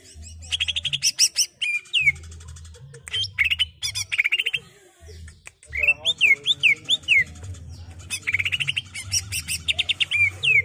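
Greater green leafbird in rapid, varied song: bursts of fast chattering trills mixed with clear down-slurred whistles, nearly continuous, with a low hum beneath.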